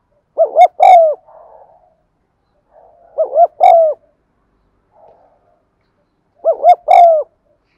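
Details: Coo of a spotted dove meant to set caged doves cooing: repeated three-note phrases, two short quavering notes then a fuller drawn-out coo, roughly every three seconds with soft murmurs between.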